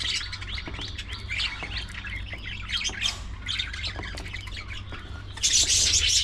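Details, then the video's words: Budgerigars during early morning feeding time, busy squawking and chirping chatter, ending in a loud burst of harsh overlapping squawks, with a low hum beneath. "Budgies Full Time Activities | Early Morning Feeding Time"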